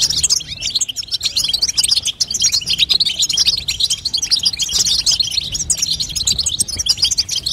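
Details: European goldfinch female batbata, a call to strengthen a young goldfinch and set it singing. Long, steady stream of fast, high, tinkling chirps with only short lulls.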